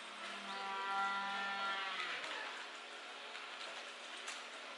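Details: A Humboldt penguin at Tobe Zoo, coming out of its nest to receive fish, gives a drawn-out, nasal, harmonic call lasting about two seconds, rising slightly at the end, followed by rustling background noise.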